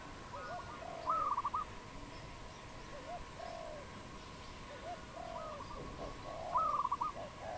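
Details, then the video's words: Low mellow cooing of a wild dove in Cambodia, 22 April 2020, short notes and longer drawn coos repeating, twice overlaid by a higher stammering whistled series from another bird. "លលកដី ឬ លលកបាយ? Dove, นกเขา, Bồ câu"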